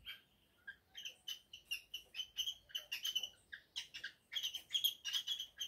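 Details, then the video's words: Male cockatiel courting a caged female for mating once the nest box is finished; a busy run of bright chirps and short whistled notes, about three per second, broken into bursts with a short pause after the first second. "MACHO CORTEJANDO FEMIA}P/ O ACASALAMENTO após terminar de aprontar casa volta MANORO"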